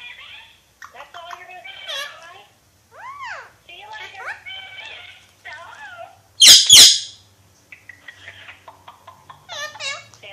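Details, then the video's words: Alexandrine parakeet talking: varied speech-like warbling and chattering phrases with rising and falling notes, broken by two loud harsh squawks midway, then soft clicks. "Pakistani Ringneck Parrot Talking"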